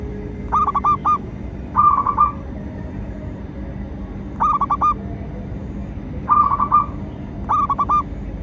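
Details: Local perkutut, the zebra dove, in full song used as a lure for training and trapping; five short rolling coo phrases of three to five rapid notes each, spaced a second or more apart, with faint low hum behind.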